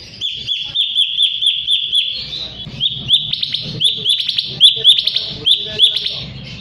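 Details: Sooty-headed bulbul song used as a lure to provoke rival birds into singing: a run of bright, sharp chirps repeated about four per second, then louder, buzzier double notes with faint low rumble behind.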